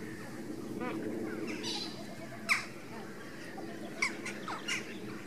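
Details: Greater and Andean flamingos calling while foraging: scattered nasal, honking squawks with one sharp loud call and a few quicker shorter ones, over a steady background murmur.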